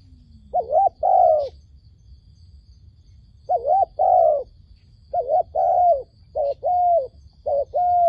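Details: Wild dove calling as a trapping lure, giving soft mid-pitched coos in paired, wavering phrases, spaced in short bursts across eight seconds, with a faint low rumble beneath.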